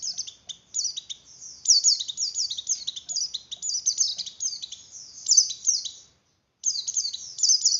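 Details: Song of a Javan grey-throated white-eye in breeding condition, used to stimulate breeding mood in others: long run of high, rapid, tumbling downslurred chirps, broken by one brief silence near the end before resuming.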